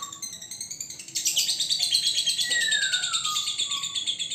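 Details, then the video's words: Single male lovebird being trained toward the long continuous konslet singing style: a dense, fast high chattering trill that swells and runs on unbroken, with one clear whistled note sliding downward. "Love Bird Jantan Prospek Konslet"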